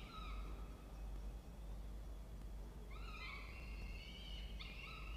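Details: Peregrine falcon family at a nest box in a water tower, Orange, New South Wales, Australia: a faint harmonic note at the start, then after a quiet pause a burst of loud, strained, rising and falling calls over a constant low rumble.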